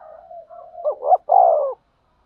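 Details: Trapping lure call of a spotted dove, a low steady cooing run that climbs into a rising note and ends on a long, loud, slightly falling coo.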